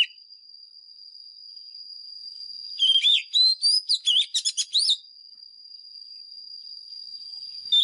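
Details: White-rumped shama, a lure bird singing a fighting song used to train caged birds' voices: a two-second burst of rapid, varied whistled notes sweeping up and down, set in a long steady thin high tone that runs throughout.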